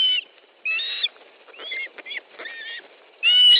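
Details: Nest of ospreys in Estonia, 10 July 2013, 13:20, a fish being brought in: loud whistled calls at start and end with quieter, twisting chirps between them.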